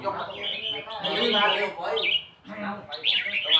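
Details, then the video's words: Red-whiskered bulbul singing in the "nap dok" counted-phrase style: rich warbling notes rising into a bright whistled flourish, a brief pause, then another sharp rising phrase. "เสียงนกกรงหัวจุก นกกรงหัวจุกนับดอก"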